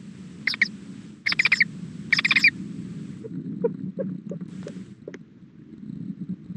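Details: At hatching time on 2-5-13, 3:20 pm, a female owl calls to the male: three loud rasping broadband bursts about a second apart, then fainter short clicks and ticks over a constant low hum.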